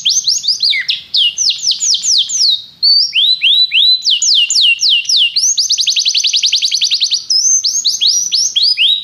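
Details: Canary singing a continuous, loud song: rapid series of high, downward-sweeping whistled notes, then a fast buzzy trill, then more repeated swooping notes, with no other sounds.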